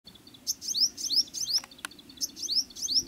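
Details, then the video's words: A little shining sunbird in jungle sings high, thin, rapid twittering phrases with sharp rising squeaks, repeated in quick bursts; two brief clicks break in midway. "singing bird"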